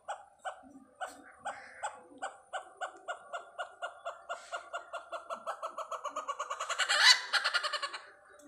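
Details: A great hornbill visiting Pathanamthitta gives a run of loud, hoarse barking notes, about four a second, quickening and swelling into a harsh roaring burst before tailing off.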